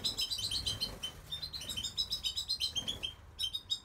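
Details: Goldfinch singing: a fast, rapid run of bright twittering notes, tinkling and slightly buzzy, tumbling over one another with short pauses, plus faint low background rumble.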